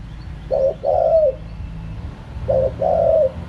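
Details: Two phrases of spotted dove cooing in the wild 'kharom pa' style, each a short hiccuping note followed by a smooth, falling coo, two seconds apart, over faint low background noise.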